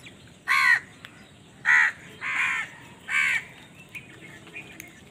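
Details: Crow cawing during a fight over food, four separate rough, nasal caws spaced roughly a second apart against a quiet background with faint ticks.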